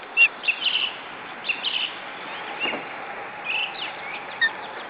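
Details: Male osprey calling as it brings a headless fish to the nest; short whistled chirps come in loose clusters of two to four, with upward-flicking notes, over a steady low hiss of background noise.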